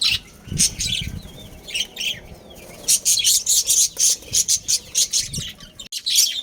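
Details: Budgerigar breeding pair kept at home, chirping in quick bright bursts, high-pitched notes repeated in a rapid uneven run with a few warbling slides, and faint low thumps in the background.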